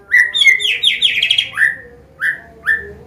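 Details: White-rumped shama, Medan type, singing a combination song used to tutor young birds: clear whistled slurred notes, then a rapid rattling trill of descending sweeps, followed by three separate falling whistles spaced apart.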